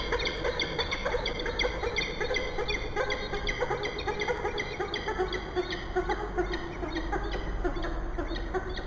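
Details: Peregrine falcons at a nest box on a church in Bath, 15 August 2018, calling animatedly after driving off visiting feral pigeons; rapid runs of harsh, clipped notes repeated throughout over a steady low background hum.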